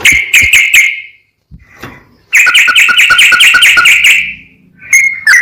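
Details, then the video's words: Sooty-headed bulbul in rapid, full song meant to make other bulbuls sing: short chip bursts, a pause, then a long fast ringing series of clipped notes and a couple of closing whistles. "MASTERAN BURUNG TRUCUKAN GACOR FULL ROPEL, BIKIN TRUCUK LAIN LANGSUNG NAIK EMOSI DAN GACOR"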